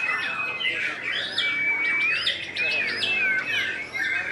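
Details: White-rumped shama at a singing competition, caged contest bird: clear whistled phrases with rising and falling slurs and sharp ornaments, delivered continuously over crowd applause and background music.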